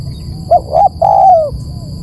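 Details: A single spotted dove phrase used to lure birds: two quick hooting notes then one smooth, prolonged coo sliding downward, with a low rumbling background and a high electronic whine.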